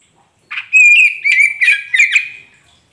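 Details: Magpie robin of the kacer poci type singing a lure phrase for birds that have stopped singing: a short burst, then a sustained clear whistle broken by quick, sharp chirped accents, with no background noise.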